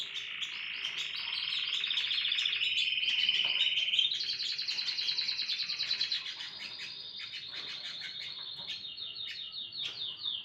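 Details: Morning song of a canary, a continuous rapid rolling trill that holds steady, rises to a higher louder tour midway, then continues as a fast repeated chattering series of high notes without a break.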